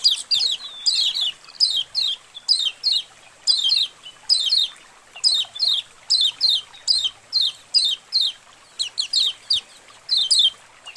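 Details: A colony of white-eyes, used as a training recording to get white-eyes singing, chatters in rapid bursts of high, thin twittering chirps, several birds overlapping, about once a second with brief gaps.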